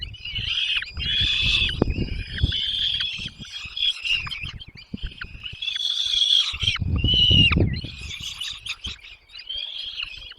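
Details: Chicks in a nest as both parents bring food. Loud, rapid, high chirps come in dense overlapping bursts, rising and falling, with rustling and knocking sounds at the nest.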